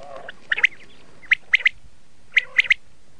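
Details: Red-shade common quail calling: short clipped triple notes, sharp and bright, given in groups of three about once a second, with a faint background hiss.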